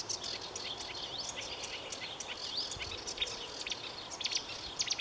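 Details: Marsh warbler song: a rapid, varied stream of high chirps, short slurred whistles and buzzy trills, with quick changes from note to note and steady faint background hiss.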